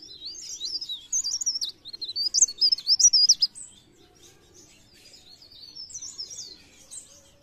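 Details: Sunda warbler in lively blereng gacor song, 'pre pare', used to prompt birds to sing: a quick stream of very high, wavering chirps and warbles, loudest midway, then trailing off softly.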